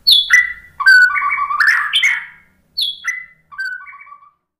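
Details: Murai batu, the white-rumped shama, in a pancingan lure recording meant to make birds reply and sing: high descending whistles stepping down into lower fluting notes, a rich warbled burst, then two shorter whistled phrases after brief pauses.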